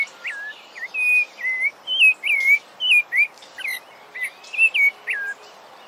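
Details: A Rufous-bellied thrush (Turdus rufiventris) sings clear, fluted whistles: short slurred notes rising and falling, about two each second, with a faint hiss behind.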